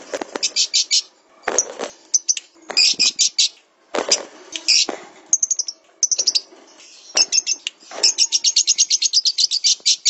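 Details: Lovebird song meant for training songbirds: long, lively sequences of rapid shrill chirps in rhythmic runs, broken by short harsh rasps, with a fast even trill of many notes toward the end.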